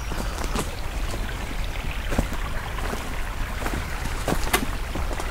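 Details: Outdoors on a May morning hike, there is low wind rumble with scattered sharp knocks and rustling clicks, and no animal voices stand out.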